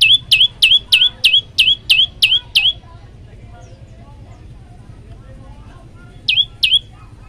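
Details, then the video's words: Tailorbird in varied song, nine sharp, high, downslurred notes delivered rapidly and evenly. A silent gap of three and a half seconds with soft background noise follows, then two more matching notes. "prenjak lumut gacor variasi"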